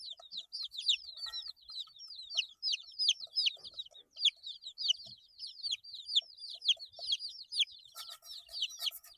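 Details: Eight-day-old baby chicks calling in a busy chorus of piercing descending peeps, steady throughout, with a short burst of broadband rustle near the end.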